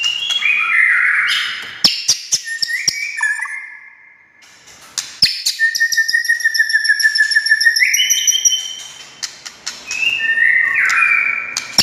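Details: White-rumped shama song meant to trigger silent shamas to sing: whistled phrases with sharp clicks, a long descending whistle mid-clip and high trilled ornaments, ending in loud varied notes.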